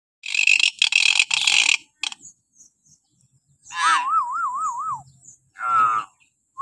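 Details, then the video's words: Common hill myna giving shrill morning calls, played as a lure to get captive mynas calling: harsh broadband bursts, then a warbling wavy whistle and a short harmonic squawk. "suara burung beo melengking"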